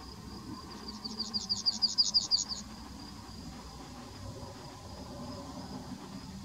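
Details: Yellowhammer song recorded in May 2020, a fast, evenly spaced series of about fifteen high, sharp chipping notes lasting nearly two seconds, with a steady high hiss and low rumble behind.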